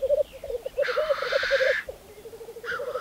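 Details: Lekking black grouse, Saaremaa, Estonia, spring 2014: low rolling bubbling runs throughout, broken by a loud, airy, hissing sneeze lasting about a second, then another short hiss near the end.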